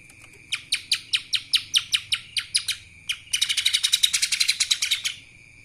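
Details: Lesser green leafbird singing kapas tembak: about eleven crisp, separate high chips at roughly four per second, a short pause, then a fast rattling trill of dense metallic notes that ends abruptly.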